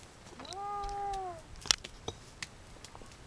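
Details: Waved albatross on the Galapagos during its dance. A single drawn-out harmonic moan lasting about a second rises, holds level, then dips slightly. A few sharp dry clicks follow against quiet outdoor background.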